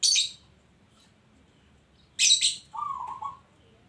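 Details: Local zebra dove heard with two sharp, hissy high chirps, the second leading straight into a single rolling, trilled coo lasting under a second.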